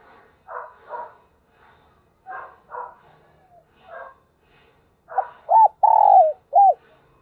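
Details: Spotted dove kept as a decoy, singing in the morning to attract wild birds: several soft breathy puffed notes, then one loud phrase of low hooked coos with a drawn-out middle note and a short final coo.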